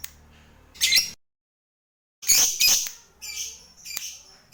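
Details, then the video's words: Lovebird prompting sound meant to make other lovebirds trill quickly: several loud, rasping, high-pitched screeches in bursts, a silent gap, then a longer chattering run. "Suara Burung Lovebird ini PINTAR Sekali Bikin Labet Cepat Ngekek"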